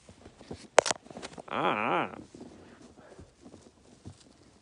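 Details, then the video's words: Indoor pet parrot out of its cage, trying to wake its owner: a sharp click, then a loud wavering, up-and-down harmonic call of about half a second, followed by soft rustling and shuffling. "앵무새가 탈출해서 사람 깨우는 방법"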